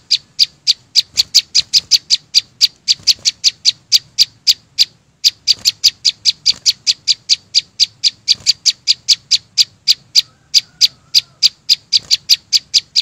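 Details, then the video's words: Flowerpecker singing loudly in nature with no background noise: a long, rapid series of sharp, high ticking notes, about three to four per second, with a short break near five seconds and a faint low rumble underneath. "Tiếng chim sâu xanh hót vang"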